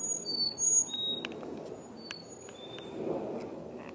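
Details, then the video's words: Chickadees among colourful autumn trees in fall 2021, giving short, clear high whistled notes at varied pitches, scattered singly and in pairs across a few seconds over soft background hiss. "Chickadees serenading on Autumn colorful trees!"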